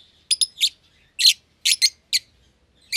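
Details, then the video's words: Caged young lovebird pair, euwing green opaline with a red-eyed albino, never bred before; quick high chirps, some doubled, with short pure whistled notes, spaced unevenly through the recording. "Lovebird Chirping Sounds"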